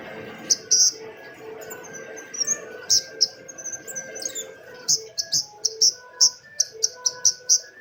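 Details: Lure recording of a female cabai rimba flowerpecker: sharp, very high ticks repeated irregularly, about fifteen in eight seconds, over lower, steady whistled tones and murmuring background sounds.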